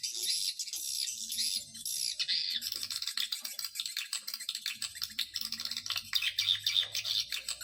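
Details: Swiftlet calls played as a lure to draw swiftlets in, heard as a steady, high, dry twittering rattle with wavering chirps and brief surges, over a soft low drone.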